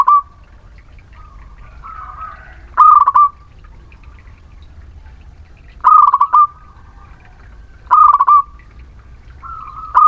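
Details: Muria local zebra dove in song, played as a lure for reluctant birds: short trilled coo phrases of rapid clipped notes, each ending in a drawn note, repeated about every two seconds over a quiet background hum.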